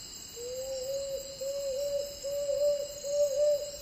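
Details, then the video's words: A tawny frogmouth calls in a Philippine forest, a soft, low, humming series of 'oom' notes run together at a steady pitch about twice a second, over a high insect chorus. "TAWNY FROGMOUTH BIRD|FOREST VOICE CALL"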